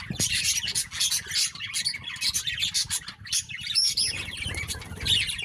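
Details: Birds constantly fighting: a dense, loud tangle of high chirps and harsh squawks from many birds overlapping without pause, with a low rumbling background.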